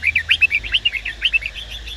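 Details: Red-whiskered bulbul, a kept male singing while stimulated by a female: quick bright chirping and twittering notes, roughly a dozen sharp phrases within two seconds, steady and lively, over a faint low hum.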